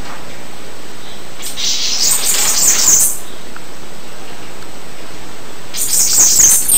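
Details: Two bursts of a Bananaquit's (Coereba flaveola) high, hissing, buzzy song, each lasting one to two seconds, with quiet between them.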